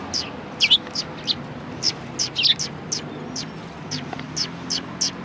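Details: Chirping sparrows at a Tenmangu shrine on 4 March 2020: crisp high tweets repeated steadily, a few doubled notes, over low background rumble.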